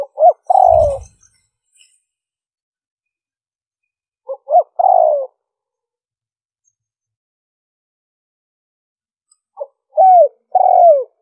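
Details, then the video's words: Lure recording of a spotted dove: short clicks lead into soft, falling coos, with the phrase given three times at gaps of roughly four to five seconds. A brief low thump is heard near the start. "Tiếng chim cu gáy mp3 liêu ròng kích bổi hiệu quả"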